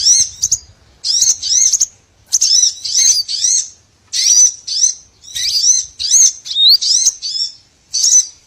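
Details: Small birds in a lure recording used for trapping, giving bursts of high, thin chirps with rapid up-and-down slurred notes, grouped in short phrases roughly every half second to second, with brief pauses between.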